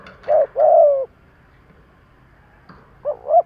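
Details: Spotted dove kept as a decoy for provocation cooing, giving one short coo and a long descending coo, then a pause of about two seconds before a wavering double note begins.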